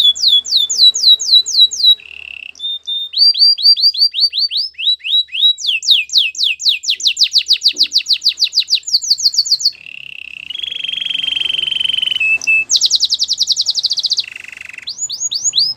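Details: Long canary training song alternating rapid chains of falling whistles, low buzzy rolls and fast high trills, each tour repeated many times before switching.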